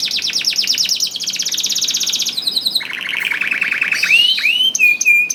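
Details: Canary song used to lure reluctant canaries into singing: fast high trills and rattles, then lower buzzy rolls and clear rising whistled notes, continuous and loud.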